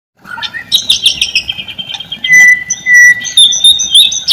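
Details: White-rumped shama song used as a lure to get silent, lazy shamas singing: loud, varied phrases of sharp chirps and rich notes, then long clear whistles sliding between pitches, with brief harsh bursts.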